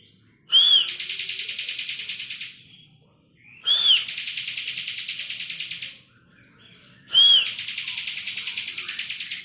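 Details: Bar-winged prinia singing actively in full ngebren style, recorded as a master track for tutoring songbirds. Three phrases about every 3.3 seconds, each a short whistled note sliding into a loud, buzzy, pulsing trill lasting nearly two seconds.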